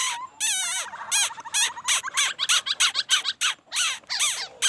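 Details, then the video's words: Rapid, varied laughingthrush singing: a tumbling series of short whistled slurs and trills, delivered about three times per second with brief breaks between phrases. "khướu hót noog sab hwj ntuaj zoo nkauj heev"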